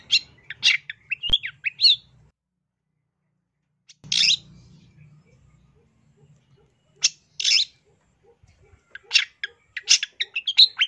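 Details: Cendet (long-tailed shrike) full-isian masteran song, 2023: groups of harsh chirps and slurred whistles separated by silent gaps of one to three seconds, ending in a quick twittering run; a click and low hum are audible.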